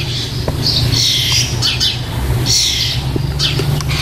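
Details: Starling nestlings close to fledging beg from their nest box on 4 May 2014 in harsh, hissing, rasping bursts, four in about four seconds, over a steady low hum.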